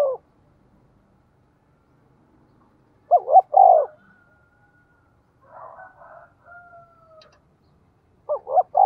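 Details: Decoy spotted dove cooing to entice wild doves to answer: two-hoot-and-long-note phrases spaced several seconds apart, with quieter buzzy and whistled sounds in the gap.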